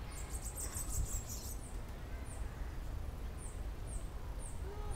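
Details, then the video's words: Bananaquit singing while free in a tree: a rapid, thin, very high buzzy trill lasting about a second and a half, then short high chips repeated roughly every half second over a steady low background rumble. "Cambacica solto cantando."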